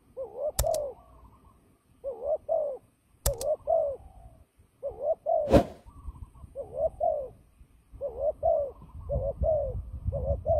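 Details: Turtle dove used for trapping, described as fighting, giving low cooing notes around 600 to 700 range, paired phrases repeated every one to two seconds, with sharp clicks and a loud knock interrupting.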